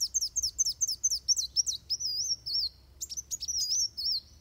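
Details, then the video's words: Fighting song of a Van Hasselt's sunbird, recorded to train other birds: rapid series of sharp, very high down-slurred chips alternating with thin wavering whistles, busy and continuous. "Suara Kolibri Wulung Tarung Buat Masteran"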